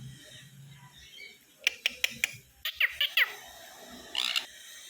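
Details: Sun conure chick kept as a new pet in a house, giving short sharp chirps in two bursts, first evenly spaced clicks, then quicker downward-slurred notes, over a faint indoor murmur.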